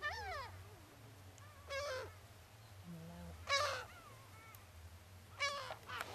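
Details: Gulls gathering to be fed biscuits at Brean Sands beach in Somerset, England, in spring: harsh rising-and-falling squeals in separate bursts roughly every one to two seconds, with a low hum underneath.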